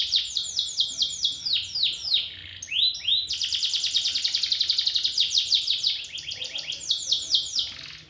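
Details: Champion canary singing a continuous high-pitched song of rapid rolling trills and sweeping repeated notes. The phrases change pace throughout, with a fast, even rattle in the middle and a low background hum.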